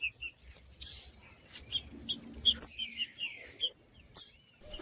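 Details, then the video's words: Green-winged saltator song of the macheando style, meant to stimulate other males. Sparse short whistled notes and chips with a steady thin high tone running throughout. "CANTO DO TRINCA FERRO MACHEANDO"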